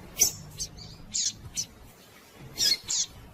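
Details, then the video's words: Calling female double-collared seedeater, the sound meant to stimulate males into song: a few scattered, high, thin chirps, some in quick pairs, separated by quiet gaps over a low background hum. "Fêmea de Coleiro Chamando e Piando Muito"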